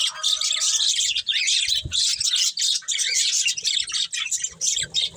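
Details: A breeding pair of pet budgerigars chirps steadily: bright, chattering twitter with quick squeaky notes layered together and a faint low knock near the middle.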